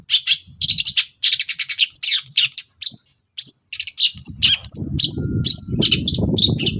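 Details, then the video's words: Morning song of a long-tailed shrike, used to goad other birds into answering; rapid, varied stream of sharp chattering notes and thin high whistles, briefly pausing, with low rumbling noise joining in the last seconds. "SENSASI CENDET GACOR PAGI HARI BIKIN BURUNG APAPUN EMOSI NYAUT BUNYI"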